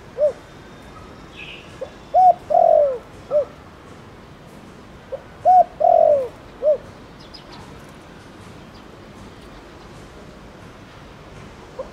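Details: Spotted dove in the Thổ Đồng cooing style, calling to stir other doves into cooing; two complete phrases about four seconds apart, each with short low coos, a longer falling coo and a closing short note, with a faint high chirp early on.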